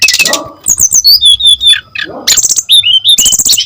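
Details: Brief burst of brown-chested jungle flycatcher song used as a lure: a harsh rasp, then clear high whistles sliding down, followed by another rasp and quick bright chirps.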